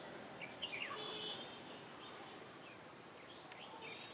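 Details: Red-whiskered bulbul in fighting song at a trapping site, 21 October 2017: a brief burst of sharp, quickly linked notes early on, then scattered faint chirps over noisy outdoor background.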